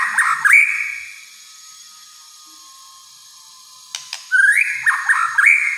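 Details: White-rumped shama singing rich whistled phrases with sliding, rising notes, a quiet stretch with a faint steady tone, then sharp clicks and another bright burst of looping whistles.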